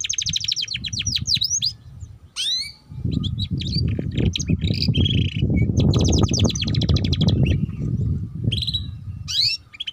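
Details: Canary song played to coax young canaries into singing ngeriwik: bursts of fast, stacked trills and a steep swooping note, separated by gaps, with loud low-frequency rumbling noise throughout.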